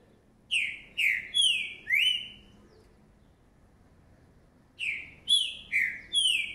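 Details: A young green-winged saltator, a 2019 chick, sings two phrases of four loud, rich whistled notes, some slurred downward and others rising. A pause of about two seconds separates the phrases, with little else heard.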